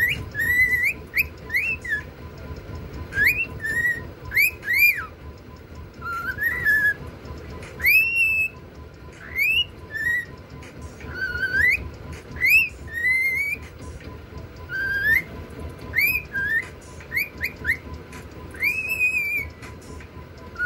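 A cockatiel sings a run of bright, looping whistles, each note swooping up or down.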